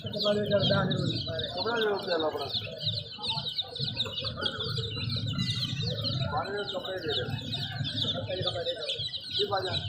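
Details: Baby chicks peeping in a dense, continuous chorus of high, short, downslurred cheeps, with a man speaking Hindi nearby and low household rumble underneath.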